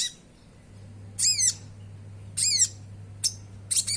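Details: Oriental magpie-robin lure song with sogon filling, used to get caged birds singing: three hoarse, grating down-curving phrases about a second apart plus a short high chip, steady low hum beneath.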